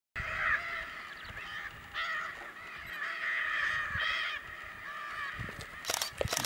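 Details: Bat falcon in Canudos, Bahia, Brazil, around August–September 2016, giving harsh, grating calls in a few drawn-out bursts, with a couple of sharp clicks and knocks near the end.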